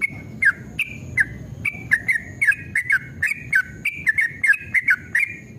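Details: Male yellow-vented bulbul delivering a long, rapid 'ropel' song in aggressive mood. Slower spaced notes at first, quickening into a lively, liquid chatter of whistled warbles, each carrying a sharp click.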